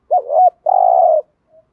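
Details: Spotted dove cooing from a lure compilation for exciting decoy doves: a dipping, wavering opening note followed by a sustained flat pulsing coo, then a faint trailing note.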